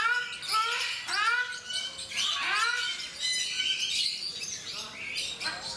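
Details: Ruddy shelducks (Tadorna ferruginea, Brahminy ducks) at Mysore Zoo, India, give loud, nasal, honking calls with rising-falling harmonics, repeated about once a second, with other bird chatter in the background.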